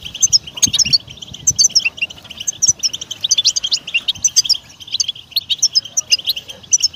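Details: European goldfinch singing, a rapid tinkling stream of bright twittering notes and liquid trills, bursts of chirps following one another with scarcely a break, faint low knocks in the background.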